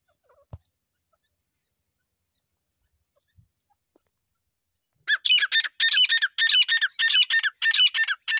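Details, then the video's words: Grey francolin calling: about five seconds of near silence with a few faint clicks, then a loud run of harsh, ringing, rapidly repeated notes in rhythmic bursts that continue to the end. "Teetar Ki Awaz"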